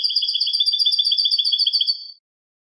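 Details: European goldfinch singing in the style called canto limpio, or clean song: a fast, even trill of high buzzy notes, about twelve per second, held for two seconds and then stopping abruptly. No other sounds.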